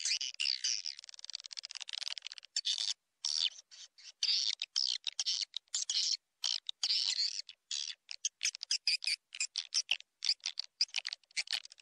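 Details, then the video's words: Swiftlet lure call from Indonesia: dense, continuous high twittering made of rapid, overlapping chirps and clicks, broken by short silent gaps. "SUARA PANGGIL WALET"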